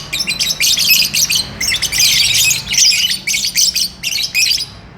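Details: Lovebird courting and wanting to mate, chattering nonstop: dense, harsh, high squawking bursts in rapid runs that are almost continuous for five seconds, with only brief gaps between clusters.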